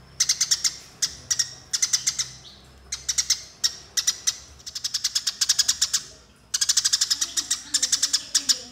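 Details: Fighting Eurasian tree sparrows, used as master audio for training other birds, give bursts of quick, bright chirps. Some bursts are slow, others dense and rolling, with short silent gaps between them.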